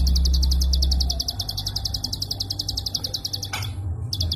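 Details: Prinia klik call for training caged songbirds: a rapid train of bright high clicks, a brief break near the end, then clicking resumes; low rumbling noise early on.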